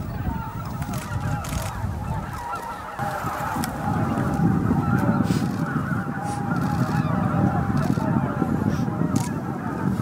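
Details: At Miyajima-numa, Bibai, Japan, on an April 2016 evening, a roost arrival of roughly 15,000 greater white-fronted geese: continuous massed yelping calls, rapid and overlapping, swelling louder after three seconds over steady low rumble.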